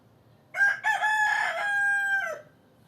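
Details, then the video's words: A rooster crows once, loud and close: a brief rough opening, then a long, harsh, sustained note that holds steady and drops away at the end, over a quiet background. "Kotkodálás és kukorékolás hangeffekt (Chickens with rooster sound effect)"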